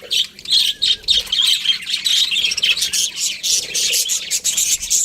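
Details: Budgerigars chirp busily, quick rasping high notes and short whistles pulsing in bursts through a constant group chatter.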